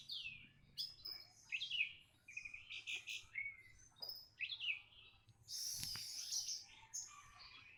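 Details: Orange-headed thrush, normally reluctant to sing, responding to a lure with a rich, varied string of whistled and warbled phrases. These are followed by a loud, high, hissing trill near the end.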